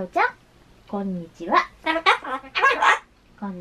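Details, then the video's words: A Ducorps's (Solomon) cockatoo at home says "konnichiwa" several times in a nasal, speech-like voice, with quick syllables and short pauses between repeats; lately it often answers "hai" then "konnichiwa". "今日は『こんにちは』の日 Today's cockatoo is "Kon'nichiwa" day"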